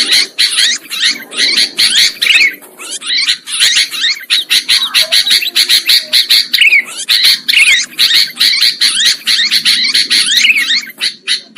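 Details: Trapping lure recording of sooty-headed bulbul: a continuous, noisy stream of scratchy chattering notes in quick pulses, with occasional rising and falling slurred whistles through the clip.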